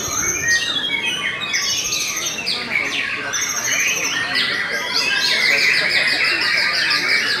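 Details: White-rumped shama of the Belanda type, a kept songbird, singing steadily: rapid, dense runs of bright chattering and whistled notes, some sliding up and down, over a constant noisy background.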